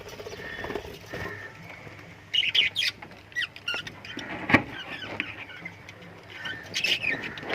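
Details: Lovebird chirping comes in scattered bursts of shrill, high twitters, broken by pauses and a single sharp knock, with low background rumble throughout.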